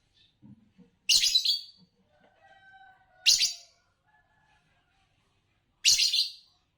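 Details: Green Fischer's lovebird, a champion song-competition bird, gives three loud, harsh, buzzy chirps spaced about two seconds apart, with faint thin whistled tones between them.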